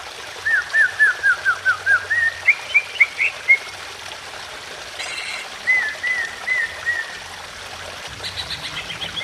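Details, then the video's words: Greater green leafbird song with a background of flowing water: a series of clear upslurred whistles repeated about four per second, climbing in pitch, then a short set of softer falling whistles. "BIKIN CUCAK IJO LAIN IKUT BUNYI EMOSI"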